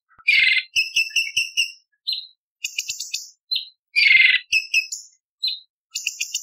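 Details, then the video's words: Contest-bird training song of the cucak cungkok bulbul in the harsh 'isian tembakan' variation style. Two loud raspy bursts, each followed by a quick series of clipped ticking notes, high buzzy phrases and short whistles, with pauses between. "Cucak Cungkok Istimewa ~ Isian Tembakan Variasi Kasaran Tajam Pedas Kasar"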